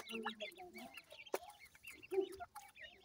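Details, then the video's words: High, short, slurred chirps from francolin chicks mix with low, hoarse clucks and a single sharp tap midway. "teetar bachy ki awaaz,Teetar Chicks Sounds, baby titar sound"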